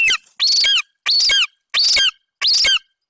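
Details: Young male golden eagle at a Bucovina nest, 27 July 2021, standing over a partial Eurasian hare his mother brought in, calling until she leaves: loud, high, squealing notes with a bent, ringing pitch, repeated about every 0.65 seconds.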